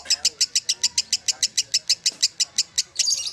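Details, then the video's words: Lovebird ngekek song in a short burst: clearly separated sharp chattering notes, about six each second, evenly spaced, ending in a louder tangled squeal near the close. "Sang legenda Lovebird Kusumo"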